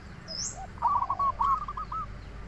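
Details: Lure song of a local zebra dove, quieter here: a run of soft hooked rolling coos in the middle, one brief high chirp from another bird early on, over a low background hum.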